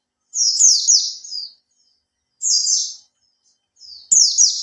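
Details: High, sweet rippling phrases from a caged Oriental white-eye kept three months, used as a lure sound to spark singing; two long falling bursts and the start of a third, with quiet between.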